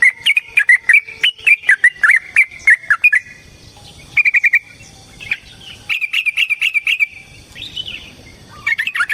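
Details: Yellow-vented bulbul singing a long fighting song to rile another bird: a fast string of liquid, warbling whistles, a short break, then further bubbly bursts of rolling notes.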